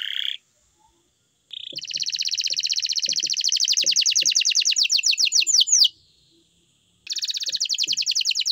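A canary sings long, rapid rolling trills of high, bright notes, broken by short pauses, with a few soft low knocks underneath.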